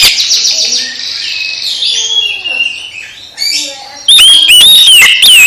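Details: Oriental magpie-robin song played to rouse a sulking, silent magpie-robin back into lively singing: high warbled phrases, then loud, harsh, overdriven whistles with sharp rising and falling slurs in the final second.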